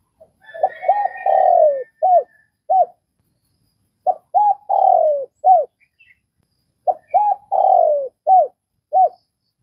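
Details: Vietnamese spotted dove giving three repeated coo phrases, each of quick arched notes, a long falling coo and two clipped closing notes, spaced about three seconds apart. Faint higher chirping sits behind the first phrase.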